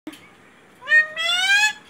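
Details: Pet parrot mimicking the word "mummy": a short first syllable, then a longer, strained second syllable that rises slightly in pitch, rich in harmonics, indoors in a quiet room.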